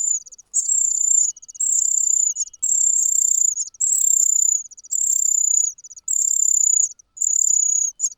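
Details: Cuckoo chick calling loudly from hunger while its foster nestmates have been fed; a steady series of drawn-out, piercing high hissy cries, about one per second, each separated by brief pauses.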